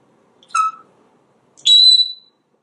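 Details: Pet African grey parrot, a talkative bird hatched in 1997 and living in a home in Texas, gives two short whistles indoors: a lower, harmonic-rich note, a pause, then a higher, longer, clear whistle.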